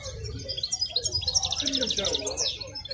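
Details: A wild-caught European goldfinch at a market sings a fast, bright, liquid twitter of tinkling high notes, with murmuring voices and low background bustle.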